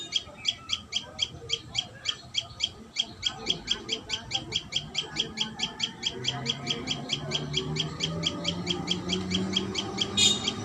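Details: Common tailorbird at its nest delivers loud, sharp high notes in a rapid even series, which fade slightly in the second half as low background noise rises.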